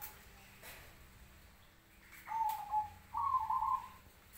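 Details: Cemani zebra dove, a black variety, calling back to other doves: after a quiet stretch come two short rolling, trilled coos, the second louder and slightly higher.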